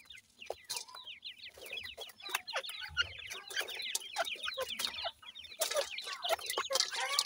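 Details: Grey francolin chicks of the Sindhi type feeding, uttering rapid series of short, falling, whistled peeps, many overlapping, punctuated by louder clicks and rustles.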